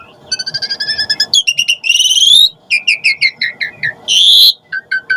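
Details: Asian pied starling sounds used to provoke starlings into replying and singing; a steady ticking trill, then quick clusters of bright chirps, sliding whistles and a harsh rising squeal, over faint low background hum.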